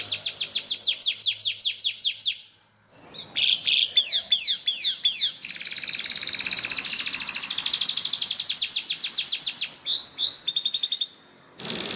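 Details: Song-training yellow canary delivers fast rhythmic runs of falling whistles, a short silence, varied swooping phrases, then a dense rapid trill and piercing high notes.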